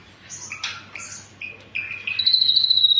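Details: Ashy drongo singing in full tembakan style: a mix of short clear whistles and slurred notes, then a steady fast-pulsed whistle held on one high pitch, with a faint low hum underneath.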